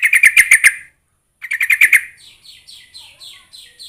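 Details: Sooty-headed bulbul call used to lure other bulbuls into answering: two quick bursts of bright, bubbly chattering notes, then a softer run of thin, repeated downslurred notes about twice a second.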